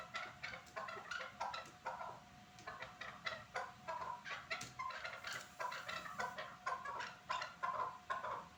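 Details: At Norak, a chukar partridge gives a long repeated chuk-chuk-chukar clucking sequence, pulses pacing evenly about three per second and building toward ringing, slightly tonal notes near the end.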